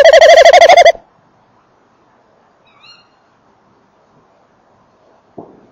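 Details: Male tawny owl near and inside a nest box, female also present: one loud, rapid, pulsing trill lasting about a second, then near silence with a faint thin squeak and a short knock.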